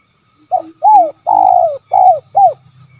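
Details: Kuk 3 call of a spotted dove: five clear coos, the middle one long and slowly falling, over faint low coos and a soft low hum.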